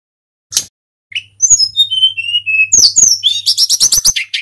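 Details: Hill Blue Flycatcher, a local bird in full song to spur other birds to sing, gives a falling series of pure whistled notes, then a rapid, dense run of high chattering trills.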